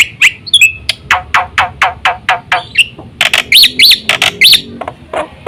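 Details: Black-winged myna song used to provoke other mynas into singing. Sharp downward-sweeping chirps repeat about every quarter second, then a burst of harsh notes mixed with looping whistled phrases.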